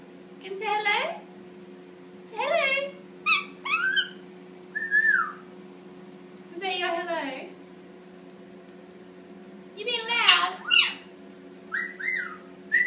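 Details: Young Indian ringneck parakeet, eight months old, pet bird practising talking and making cute noises in the shower indoors: bursts of harmonic, speech-like chatter mixed with short clear whistles, several phrases spread over the recording, with steady low running-water hum beneath.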